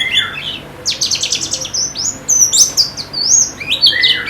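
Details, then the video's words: Captive white-eye giving quick bursts of bright, high chirps and upward-sweeping twitters, a lower slurred note opening the phrase, brief pauses between bursts. "Terapi Pleci Cepat Ngalas dan Semakin Gacor"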